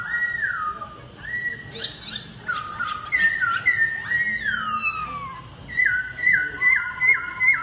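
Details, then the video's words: Laughingthrush in a singing duel: fluty whistled phrases, long downward slides, then a run of short repeated up-slurred notes near the end. "Khướu Hót Đấu Đá Giọng – Giao Chiến Căng Thẳng Từng Nốt"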